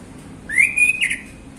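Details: Male orange-headed thrush singing in the relaxed ngeplong style in the afternoon, used to prompt other birds. One clear whistled phrase rises, then holds level before ending in a short warbled flourish.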